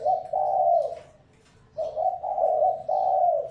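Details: Decoy spotted dove luring wild birds, cooing in deep, soft, hollow notes: one phrase of a clipped note and a long coo, a brief pause, then three linked coos rising and falling slightly.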